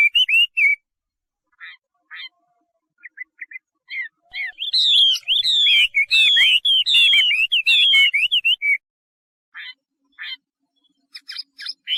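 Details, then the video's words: Chinese hwamei song: scattered short whistled notes build into a loud, fast run of sweeping, warbled whistles, then trail off into isolated chirps. "画眉鸟的声音 The Voice of a Thrush"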